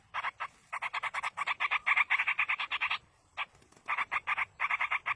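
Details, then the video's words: Begging from yellow-vented bulbul young during parental feeding in the wild, loud rasping pulses in quick rhythmic series, building to a dense chatter before a short gap and renewed bursts. "indukan burung trucuk meloloh anakan di alam"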